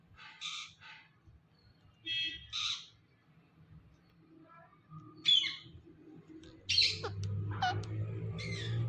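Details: Talking ringneck parrot giving short raspy, squawky word-like phrases in separated bursts, a few seconds apart, over a low hum that grows louder near the end.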